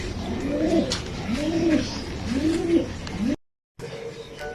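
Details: Racing pigeon cooing: three low, rolling, arched coos roughly a second apart, each rising then falling, followed by a short break and faint higher tones against a quiet, room-like background.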